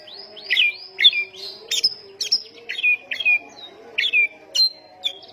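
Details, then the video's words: Oriental magpie-robin singing a lively, high-pressure song meant to provoke other magpie-robins: clear whistled notes and short downslurred phrases, some rising, repeated in quick bursts roughly every half second, over a steady low hum. "ampuh pancingan 100 persen tembakan burung Kacer gacor ini bisa mendobrak emosi Kacer seketika"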